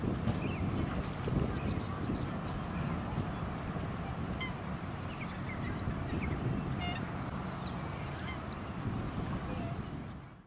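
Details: Recorded at Lake Monger, Perth, Western Australia, in March 2018, a black swan gives scattered high, trumpeting notes amid constant low wind and suburban noise, with faint twittering birdsong, before the sound fades out.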